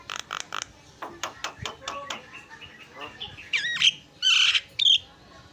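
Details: Javan myna song mixing sharp clicks and chattering notes, then loud, harsh, drawn-out squawks with whistled edges toward the end.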